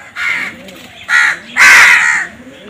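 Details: Crow calling three times with hoarse, grating caws, the last longest and loudest, over a faint low background murmur.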